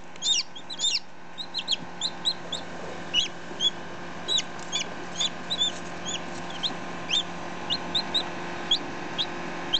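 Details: Close-up peeping of a baby chicken just hatched, ten minutes old, with a day-old chick nearby; many short high chirps, some overlapping, at an uneven quick pace, softer and more scattered than steady, with low background hum.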